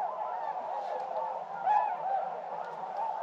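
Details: Flock of hundreds of wintering tundra swans (Cygnus columbianus) on water at first light, early December, eastern North Carolina: steady chorus of mellow, overlapping hoots and honks, many birds calling at once with a few louder notes rising above.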